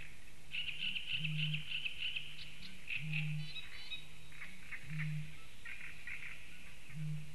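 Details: A male Eurasian bittern booms low and hollow in the distance, roughly every two seconds, while songbirds sing brightly in the foreground; recorded in Latvia on 16 May 2015.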